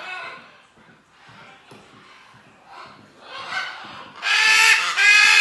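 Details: Two recently fledged sibling great green macaw chicks, captive-bred at a Costa Rican refuge and due for release, out of their nest box in the aviary give harsh, grating squawks: softer rasping calls, then a loud, rough screeching burst near the end.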